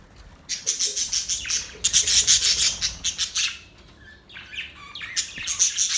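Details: Budgerigars singing as a mating call: harsh, raspy, buzzy chatter pulsing rapidly in long runs, then a short pause before thinner chirps and another scratchy burst.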